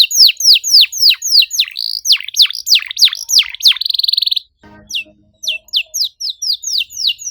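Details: Canary singing in tight bursts as a lure. Loud descending whistles give way to a brief buzzy trill, then a short break with background noise, and then widely spaced sharp sweeps.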